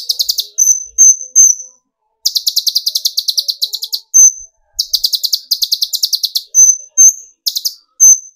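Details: Kolibri ninja, or olive-backed sunbird, in lively lure song meant to stir other birds: quick rattling bursts of high metallic chips broken by short piercing whistles, over a quiet background.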